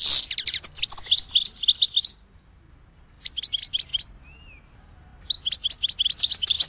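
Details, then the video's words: Goldfinch twittering song in three phrases of rapid high chirps and trills, with quiet gaps between them. "Goldfinch Song to Educate Newcomers to Their Call"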